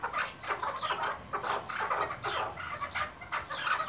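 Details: Hunting decoy partridge of the Iraqi white type giving hoarse, clucking notes in short uneven bursts, roughly two or three a second, with a quiet background.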